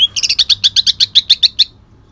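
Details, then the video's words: Greater green leafbird of the Kalimantan type, singing rough bursts with long-tailed shrike mimicry. Sharp, high chip notes repeat about every eighth of a second in an even series, then stop abruptly. "cucak ijo kalimantan tembakan kasar"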